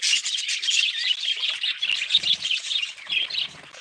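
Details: Budgerigars give a short spell of bright, overlapping chirrups and warbled squeaks, loud at the start and easing slightly toward the end.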